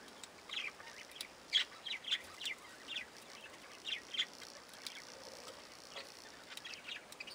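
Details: Young Java sparrows eating, giving short, sharp high chips, singly and in quick pairs, scattered irregularly over a soft hiss.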